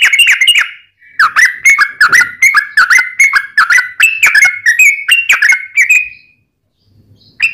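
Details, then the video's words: Long, fast song of a sooty-headed bulbul, intended to draw song from other bulbuls: a brief chirpy burst, then a steady run of bubbly whistled notes that stops before one closing note. "trucukan gacor ROPEL PANJANG buat pancingan trucukan agar bunyi"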